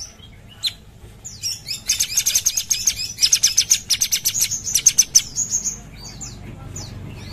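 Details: Sumatran bulbul, known locally as cucak cungkok, singing actively: a fast burst of sharp, high, repeated notes forming a rattling trill, with short squeaky phrases before and after, over faint low background hum.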